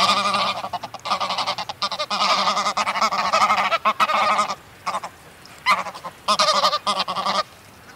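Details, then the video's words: Excitable greylag goose flock at close range, continuous overlapping nasal honking for most of the stretch, then fading to a few short honk bursts and flaps with quiet gaps. "Greylag Goose. CU Excitable Calls & Wing-Flaps From A Flock."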